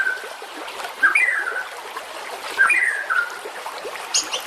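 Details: White-rumped shama singing in a training track for competition birds: two mellow whistled phrases, each a quick upward note sliding down into a wavering lower whistle, with a faint high note at the end and background hiss.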